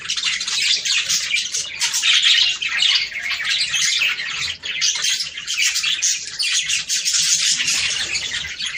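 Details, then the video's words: Budgerigars singing to stimulate breeding: dense, continuous warbling chatter of many birds, scratchy squawks and chirps overlapping without pause, with brief dips in loudness. "صوت طيور البادجي ــ تحفيز للتزاوج."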